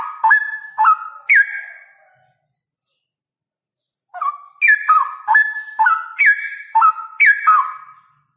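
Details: Male straw-headed bulbul singing loudly in the rapid ropel style: bursts of rich, stepped whistled notes sliding between low and high pitches, three quick phrases, a pause of about two seconds, then a longer run of fluty notes.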